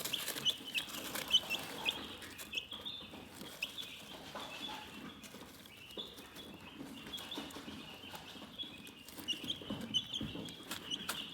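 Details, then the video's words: Calm chickens keep up a thin, high, wavering peeping that rises and falls in loudness, over faint shuffling and occasional taps. "Chicken Relaxing Soothing Chirping Sounds"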